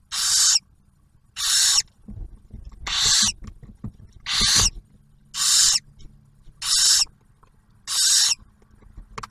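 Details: Barn owl nest at Ottawa National Wildlife Refuge, Ohio, during the first meal of the first-hatched owlet after the male's food delivery; a regular series of eight harsh, noisy hisses with soft scraping and rustling in the gaps.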